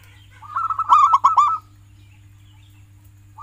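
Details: Local zebra dove (perkutut) used to stimulate pet doves into song: one rapid, rolling phrase of about eight ringing coos, building in loudness, followed by silence and a low electrical hum.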